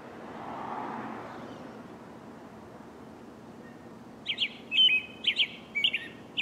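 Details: American robin singing in the morning, a quick burst of clear, chirpy notes in short repeated phrases, after several seconds of steady background rumble like distant traffic.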